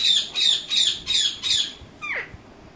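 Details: Talking Indian ringneck parakeet giving five loud, grating squawks in even succession, followed by a short descending nasal note as the series ends.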